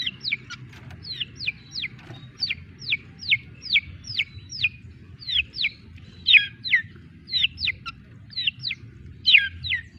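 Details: Young cendet, the long-tailed shrike, giving a series of thin, sharply downslurred whistled notes, singly or in pairs, at an uneven pace against a quiet background.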